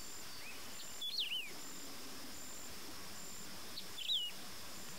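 A Wedge-tailed Grass-Finch gives two short, high, slurred phrases about three seconds apart, each a quick rising-and-falling whistle, over steady insect hiss and low rumble.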